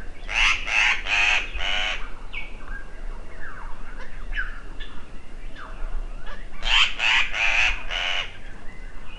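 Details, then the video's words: An agitated African paradise flycatcher scolds in two bursts of four harsh, rasping notes, with faint thin chirps between and a low background rumble. "Angry bird. African paradise flycatcher"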